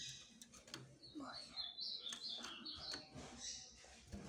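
Ultramarine grosbeak singing a quick phrase of sweet, sliding whistles that rise and fall, over a noisy background with possible faint voices.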